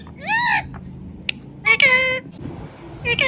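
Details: Indian ringneck parrot talking "Mithu Mithu": an arched, harmonic word, a brief click, then a longer buzzy, strained phrase and another word starting at the close.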